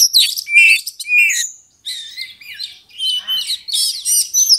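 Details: Agitated oriental magpie-robin, its song used as bait to stir a rival to fight; dense high chattering, squeaky whistles and harsh notes, with a short gap before the next busy burst.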